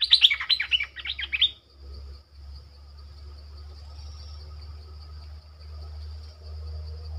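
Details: Streak-eared bulbul used as a caged lure bird to draw in wild birds: a quick run of sharp, bubbly chirps lasting about one and a half seconds, followed by quiet with a low hum and a steady high tone.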